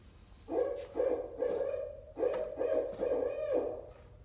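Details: Barred owl in the greater Ottawa area in fall: two rhythmic phrases of deep, throaty hoots, each a quick run of about four notes with a slightly drawn-out ending, separated by a short pause, over quiet background.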